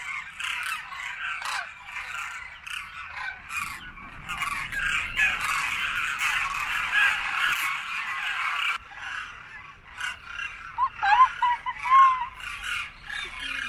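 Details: A large winter flock of demoiselle cranes circling overhead after feeding at a grain-feeding site in Khichan village, Rajasthan, before their return migration, makes a dense din of overlapping rattling, trumpeting calls, then thins to a few clearer calls.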